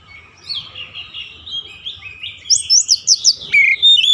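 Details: An oriental magpie-robin warbles quietly and continuously, then breaks into loud rapid high chirps and a ringing whistle, part of daily training for a long rolling song.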